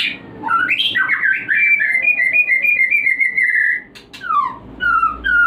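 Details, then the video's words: White-rumped shama song used to raise breeding urge: clear whistled notes stepping through a sustained tonal run, followed by short downslurred whistles after a brief break. "Pancingan untuk burung Murai Batu Breeding / menaikkan birahi"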